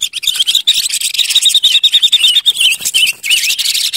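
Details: Ngũ Sắc decoy bird, the silver-eared mesia (Leiothrix argentauris), gives a rapid series of short, evenly pitched whistled notes ending in a few dipping warbles, against a steady background of clicks and rustling.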